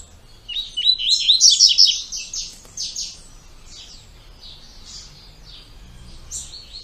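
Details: Double-collared seedeater singing its two-note "tui tui" song style: a burst of rapid, high whistled and buzzy notes with downward-sweeping slurs, loudest in the first two seconds, then fainter repeated phrases trailing off.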